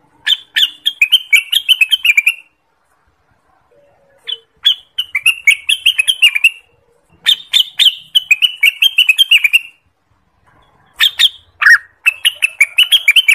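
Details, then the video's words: Orange-spotted bulbul song used as a trapping lure and master song for training: repeated lively phrases of rapid, bright, bubbling notes, each phrase about two seconds long with short pauses between. "suara burung cucak Wilis / renganis ampuh untuk pikat, pancingan dan Masteran"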